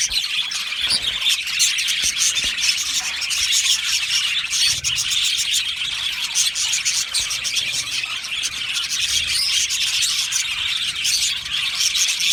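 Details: A colony of Australian budgies in an aviary, singing and chirping: many birds twittering and warbling at once in a steady high-pitched chorus, with short bursts of louder clicks and chirps throughout.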